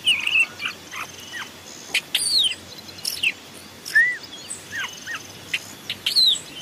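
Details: A Long-tailed Shrike, recorded in forest as a decoy/training song, sings a varied run of short, high chirps and sharp downslurred whistles, loosely spaced, against a light hiss of background noise.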